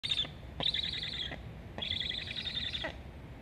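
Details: Black stork chicks at a nest in Estonia, filmed by a live nest cam on 26 August 2021, begging for food while a sibling flies near the nest; two harsh, buzzy chirping bursts, the second longer.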